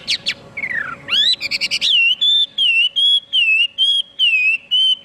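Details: Chinese hwamei singing: a few sharp opening notes and a descending slur, a rapid trill, then a steady series of loud, level whistled phrases with a slight dip, repeated about twice a second.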